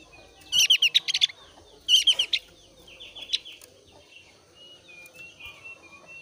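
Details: Thin-browed Javan grey-throated white-eye in breeding condition, its song meant to draw other white-eyes into singing. Two loud bursts of quick, high chattering notes open the clip, followed by softer scattered notes and thin whistles.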